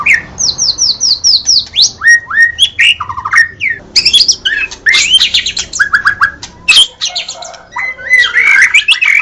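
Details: White-rumped shama singing loudly and energetically: a rapid run of high whistled notes, then varied rising and falling phrases, buzzy trills and sharp chips that change almost every second, with no other birds heard.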